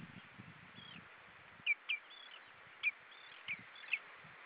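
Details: Common redshank calling at Hyljes on 20 June 2013 around 19:23, before flying away; short sharp high notes, some with downward-curving tails, given singly and in pairs over about two seconds, with low rumbling background noise.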